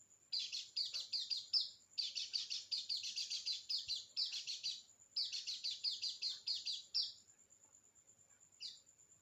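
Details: White-eye singing as a lure for a bird that is slow to sing: rapid bursts of high, bubbly twittering, then a steady thin whine, a faint short chirp near the end and otherwise quiet.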